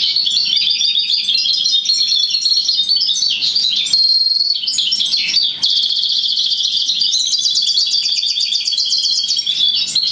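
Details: Goldfinch x roller canary hybrid singing a continuous, rapid song of bright rolling trills and twittering phrases, with brief sustained whistled notes around the middle and a fast rattling trill near the end.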